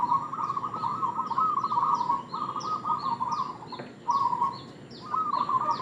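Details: Local zebra dove delivering lure call: long bubbly trilled coos in three runs, while another bird repeats thin, high descending chips in the background.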